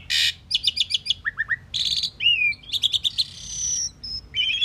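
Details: Pied myna pouring out a rich song: harsh chatter, a rapid trill of repeated notes, descending chirps, buzzy bursts, gliding whistles and a long sustained high whistle.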